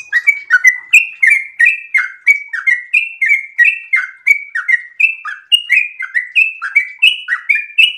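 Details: A sooty-headed bulbul in breeding condition sings a long, lively 'ropel' series of warbling notes, alternating higher and lower chirps in a rapid, unbroken stream.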